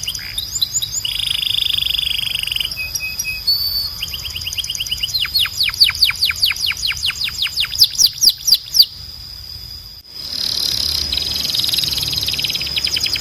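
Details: Belgian canary song for stimulating and training canaries: scattered chirps and a rolling burry phrase, then quickening downward whistled sweeps that build into a loud rapid series, a pause, and a softer hissing trill.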